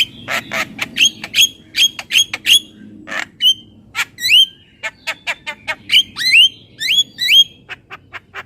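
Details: ['Asian pied starling in full song: crisp clicks and rasps interleaved with sharp upslurred whistles, repeated in an uneven rhythm over several seconds.']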